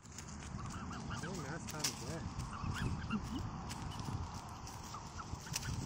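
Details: A family of black swans in Canberra, Australia, with two teenage young, feeding on green peas, give a quick run of soft, rising-and-falling bugling notes over a steady low rumble of wind or water.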